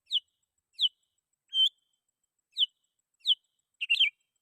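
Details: Sooty-headed bulbul calling rivals, used as a lure for wild bulbuls: short bright chirped notes spaced about half a second to a second apart, ending in a quick double burst, with no other sounds.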